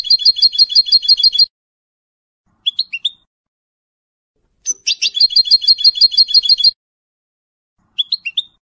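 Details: Caged colour-mutation goldfinch hybrid from 2022 with a large white bib, nearly finishing its first moult, sings fast trills of rapidly repeated high notes in bursts of about 1.5 to 2 seconds, separated by short pauses and brief rising chirps.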